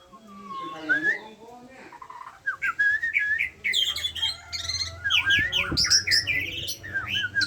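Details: Asian pied starling starting softly with a low warbled note, then breaking into loud, rapid song of whistles, harsh rasps and chattering notes.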